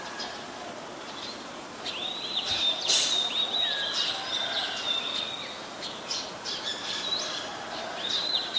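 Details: White-vented myna, Ubon Ratchathani, Thailand, 29 December 2019: a rambling run of scratchy chatter and looping whistled slurs with a loud rasp partway through, over steady background noise.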